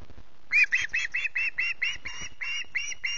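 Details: Hungry osprey chick at Loch Garten in the early morning, 14 August: a steady series of about eleven hoarse, evenly spaced screeches, some louder than others, over soft background rumble.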